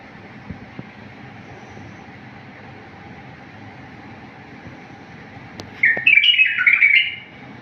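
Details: Wild bulbul song for tutoring bulbuls: several seconds of near-quiet background with a couple of faint clicks, then a short loud burst of fluttering whistled notes near the end.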